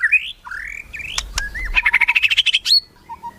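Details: White-rumped shama in melodious song: drawn-out rising whistles, then a sharp upslurred note and a fast run of about a dozen rapid repeated chips, ending with a quieter low whistle.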